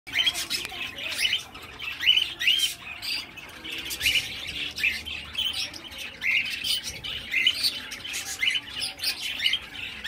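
A young cockatiel gives quick, bright chirps and short rising squeaks, repeated several times a second.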